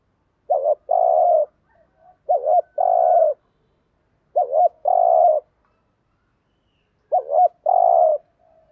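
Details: Cooing spotted dove played to lure wild doves, four evenly spaced phrases, each a short wavering note trailing into a longer smooth coo, separated by quiet gaps.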